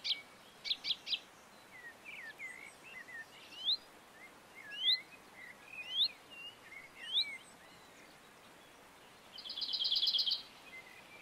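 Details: Common chaffinch recorded in the Montes de León, Spain, in March: scattered short, sharp upslurred chirps and twittering notes over several seconds, closing with a brief dense buzzy trill, against soft outdoor background noise.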